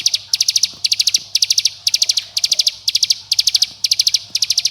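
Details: Bar-winged prinia calling to summon companions and anger rivals, meant to spur young birds into full song. Tight packets of quick, high, rattling notes recur steadily about every half second, with faint low background hum.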